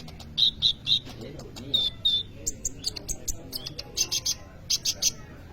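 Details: Sunbird known locally as kolibri ninja, sung in full form and used as a lure to train other birds: high, thin chirps and short trills, some steady whistled notes, in quick irregular bursts.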